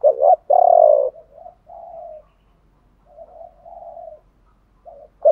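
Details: Spotted dove song in the chiêu ba hậu style, from male and female birds, played to spur other doves into singing; a strong rolling coo follows a short note, then softer drawn-out coos and a closing pair.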